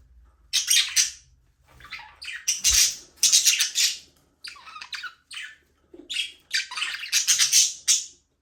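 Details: Budgies chatter in a small aviary, flying free: dense, scratchy high-pitched chirps come in rapid bursts, almost continuous, with only short pauses over eight seconds.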